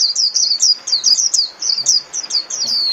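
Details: Continuous 'líu' song of a Japanese white-eye, played daily to train caged birds: a fast, unbroken chain of very high, sliding, twittering notes, each falling slightly in pitch.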